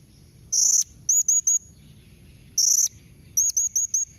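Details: Blue-crowned hanging parrot, calling in the 'nembak mbeset' style to prompt other hanging parrots to answer: a long, harsh high note followed by three crisp whistles, the pattern repeated with four whistles.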